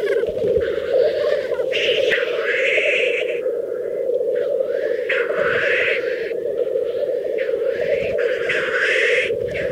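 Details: Black grouse lekking in a mating display in Teesdale, North Pennines, UK: a steady, dense bubbling, cooing chorus runs throughout, broken by loud, harsh rushing hisses that recur every second or so, several overlapping.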